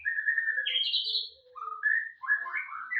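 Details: White-rumped shama in full, lively song, with a steady mid-pitched whistle that jumps to a higher buzzing trill, a short pause, then rising fluty notes and a quick cluster of bright, jumbled warbles.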